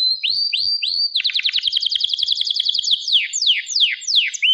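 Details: Singing canary: a few upslurred whistles, then a quick chattering series of sweeping notes slowing into long descending whistled strokes, ending on a clear upslurred note.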